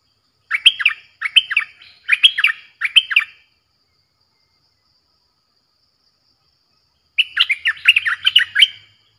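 Streak-eared Bulbul: four quick bubbly, chattering phrases at mid-high pitch, a pause of several seconds, then a longer, busier burst of the same liquid notes.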